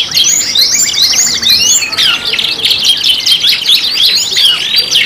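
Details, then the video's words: Canary singing from a five-in-one pancingan (lure) compilation: rolling trills and looping whistled sweeps give way to choppy chirps and bubbling phrases, steady and loud, with overlapping voices. "PANCINGAN KENARI 5 IN 1 | CANARY SINGING"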